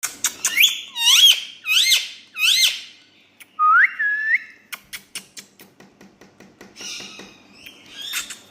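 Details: A pet talking parrot in India gives a burst of loud, rising whistled notes in quick succession. A lower, drawn-out whistle follows, then a run of dry clicks and a few squeaky high notes.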